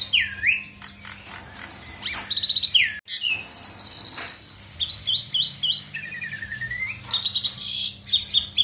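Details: Singing Asian pied starling, full and varied, meant to draw other birds into song: looping whistles, fast trills of short repeated notes, a slurred descending phrase and a buzzy burst near the end, over a low constant hum.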